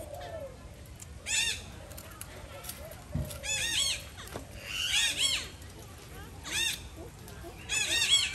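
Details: Harsh squawking from an Alexandrine parakeet at feeding time, delivered in short, loud clusters of arched harmonic calls separated by pauses of about a second, over a low background hum.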